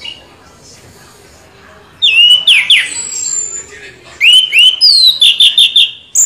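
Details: Orange-headed thrush in continuous rolling ngeroll song: quiet for two seconds, then loud, sharp whistled slurs, a long high thin note, and a fast series of about eight clipped repeated whistles.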